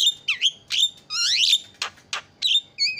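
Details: Javan myna calling as a lure to set other birds screaming: sharp looping whistles, rising swept notes and two rasping buzzes in a quick, busy sequence.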